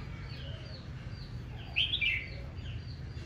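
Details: Red-whiskered bulbul in aggressive morning challenge singing; a short loud chirping, warbled phrase stands out midway among softer repeated whistles from other birds, with low rumbling noise beneath.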